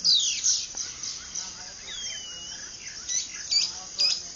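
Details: Wild birds singing at dawn on a cattle ranch near Ciudad de Nutrias, Barinas, in the Venezuelan llanos, 12 February 2009: overlapping high chirps, a long slurred whistle and quick repeated squeaky notes.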